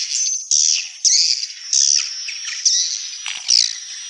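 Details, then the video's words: Swiftlets giving harsh, high buzzy chirps in separate bursts roughly every half to one second, each starting abruptly and fading, with a faint steady whistle underneath. "SUARA BURUNG WALET"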